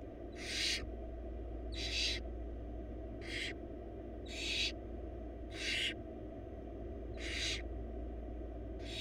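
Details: Wild barn owl nestlings, four of them, beg for a big rabbit their mother brings to the nest box; breathy, broadband snoring hisses come about every second and a quarter, steady level, low hum beneath.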